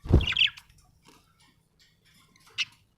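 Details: Happy pet budgerigar chirping: a dull thump opens, then a brief scratchy chirp with harsh overtones, a long near-silent pause with faint rustles, and a single sharp chirp near the end.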